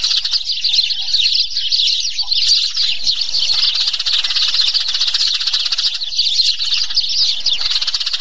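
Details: Eurasian tree sparrows fighting: a constant chorus of overlapping shrill chirps and twitters, rising and falling in intensity without pause.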